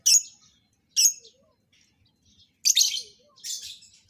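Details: Captive lovebirds being paired for mating in a breeding setup, giving four harsh, shrill chirps in short bursts: two single sharp notes about a second apart, then a pause and two longer, rasping chirps close together.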